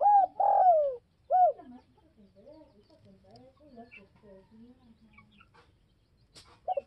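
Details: Spotted dove calling to draw a response from rival doves, giving strong rising-falling coos in the first 1.5 s followed by a long run of soft, low, wavering cooing notes and a final coo.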